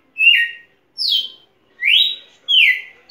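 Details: A champion red-cowled cardinal (Paroaria dominicana) sings loud, clear whistled phrases, alternately falling and rising, about one every three-quarters of a second, with no other sounds.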